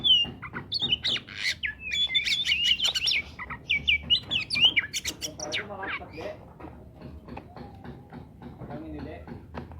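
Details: Oriental magpie-robin song meant to trigger silent birds into singing: fast high twittering whistles and trills at the start, followed by quieter harsh chattering and clicking notes over a faint low hum.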